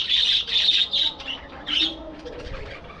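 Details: Budgerigars in a breeding aviary colony, giving loud, high squawky chirps in quick pulses for about a second, then a lone rising chirp and softer chatter trailing off.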